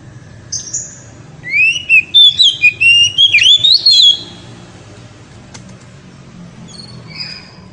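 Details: Oriental magpie-robin delivering very loud ngeriwik song to excite the female: a dense two-and-a-half-second stream of rapid, twisting whistled notes, with a click and faint high notes afterward.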